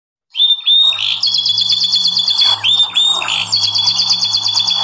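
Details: Yorkshire canary singing a song used as training sound for other canaries; bright sustained rolling trills, repeated tour phrases with rising starts, continuous and loud, low steady electrical hum underneath.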